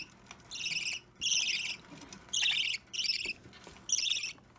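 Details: Three-week-old budgerigar chick, green or opaline, taking hand-feeding on 30 March 2017; grating, buzzy chirps about half a second long, repeated five times at irregular spacing over a faint room hum.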